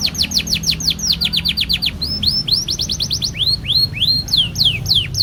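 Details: Canary giving a long rolling lure song meant to set other canaries singing: a fast run of downslurred whistled notes for two seconds, then slower rising whistles with thin high ticks above, over a low steady hum.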